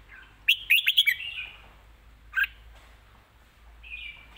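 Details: Red-whiskered bulbul kept in a cage, singing live: a quick run of four or five sharp clipped notes, then a single burst and a faint trailing warble.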